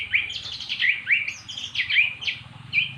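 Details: Magpie-robin that had never sung before, now singing after repeated prompting with recorded magpie-robin song. Bright whistled phrases drop from high to mid pitch, repeating about every half second over a faint low hum.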